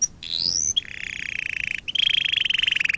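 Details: Canary song for training canaries: a rising whistled glide, then fast even trills near the same pitch, broken by short pauses and restarted slightly higher.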